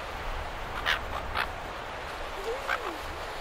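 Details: Several silver gulls at Perth, Australia, recorded medium close-up, give short, harsh squawks, three or four in quick succession with a brief mewing note, over steady surf in the background; silver gull call.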